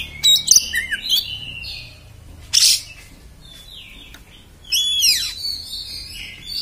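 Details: Oriental magpie-robin singing in the harsh, rough 'beset' style: rich high whistles and sweeping slurred notes given in short bursts with pauses between, including a sharp downward sweep, over a faint low hum.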